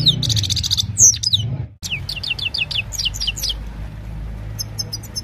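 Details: A Himalayan goldfinch sings in the evening, a fast, tinkling run of high twittering notes and quick downslurred chips, with a soft low hum beneath, recorded on a mobile phone.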